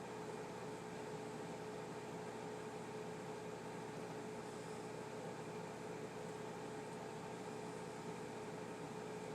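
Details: Indoor room noise: an even fan-like whir with a steady tonal hum and no calls from any animal.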